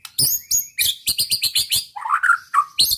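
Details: White-rumped shama song aimed at provoking rival birds: rapid high ringing chirps in a steady run, followed by a rich lower warbled phrase and a final sharp note.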